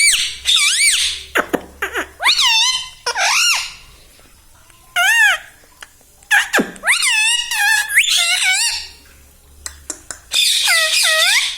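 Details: Indoor pet parrot that mimics speech, saying 'mummy papa', delivers loud, squeaky, voice-like syllables that swoop up and down, grouped into bursts with a quiet stretch midway.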